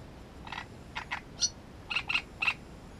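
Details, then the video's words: Great reed warbler near its nest giving a rhythmic run of coarse, churring notes, about seven in three seconds, a high squeaky one in the middle, with loud grating notes at the end. "Камышовка дроздовидная"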